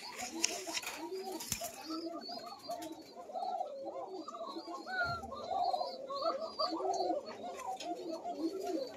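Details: Koka pigeons on a farm in Bangladesh, white pair number 109 with young; the thin-voiced calling bird is said to be the female. Thin, arched, rising-and-falling coos overlap from several birds, with a man talking and brief music.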